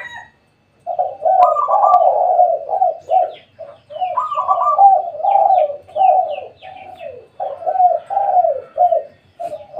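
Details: Spotted dove calling at midday at a home, giving soft, hollow coos strung into long rolling phrases, each a run of mellow notes with brief gaps between. The calling is steady after a short opening silence.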